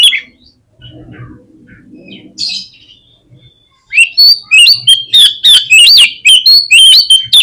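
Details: Oriental magpie-robin song used as a lure to make birds respond quickly and spread their tails: loud whistled and buzzy phrases with sharp rising and falling notes, delivered in rapid bursts after a quieter opening with faint low murmurs.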